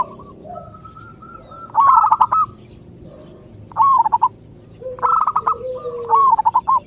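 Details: Local zebra dove song meant to get other doves answering: a long steady cooing note, then three bursts of rolling, stuttering coos near one pitch, each about half a second, with a softer lower coo between them.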